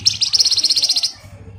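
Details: Javan white-eye pouring out a "ngebren" rattle meant to lure other songbirds: a sharp, high, buzzy trill of about a dozen fast pulses over one second, with a low hum in the background.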